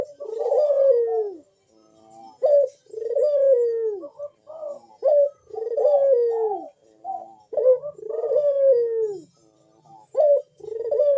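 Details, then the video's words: Puter dove giving its big, sharp bekur coo in the manggung style, meant to encourage birds to sing. Short rising notes alternate with long falling coos, repeated about every two to three seconds in a steady cycle. "Burung puter Rajanya bikin gacor‼️suara Bekur besar super tajam manggung merdu mengundang bunyi"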